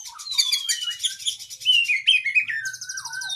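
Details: Oriental magpie-robin long training song: sweeping whistled slurs falling and rising beneath dense high trilling, then a sustained buzzy rattle with a low descending whistle at the end, uninterrupted and vigorous.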